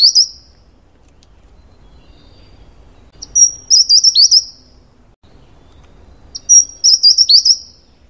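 Taiwan Wren-Babbler singing very high, thin phrases: a sharp note, then a quick run of wavering whistles, repeated about every three seconds over a faint low hum.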